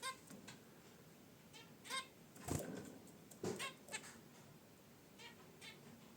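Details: Pet zebra finches relaxing in their cage by a wicker basket nest give short, nasal, toy-trumpet honks and chirps, about six scattered over six seconds, over a steady background hiss; unedited audio.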